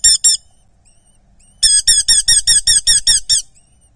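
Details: A Eurasian hobby chick at a nest in Dorset, being fed, gives shrill, squeaky begging notes: two at first, then a fast run of about ten, roughly six each second. No other sounds are heard.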